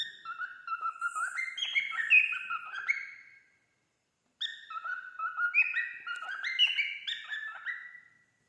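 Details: A tame male cockatiel sings two phrases of clear, stepping whistles that climb and dip, with a short pause between; no other sounds.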